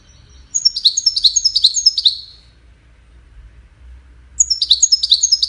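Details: Singing goldfinch, courtship and communication song, in two separate bursts of fast, high, descending twittered notes, each burst lasting about two seconds, with a quiet pause between them.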